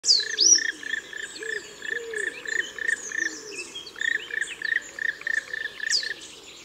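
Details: Black woodpecker: a steady series of short, clipped call notes repeated about three times a second in two bursts, with higher chirps from other birds and soft low background sound.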